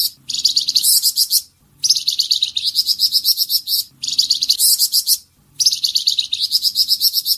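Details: Flamboyan bird in tembakan song, used to train songbirds: strings of very fast, thin, high notes in bursts separated by two short silences, with a low hum faintly present.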